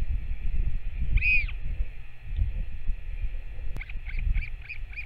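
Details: On 21 May 2024 a Northern royal albatross parent feeds its chick; one strong arched squeal, a quiet stretch of wind noise, then five rapid high chirps in a row.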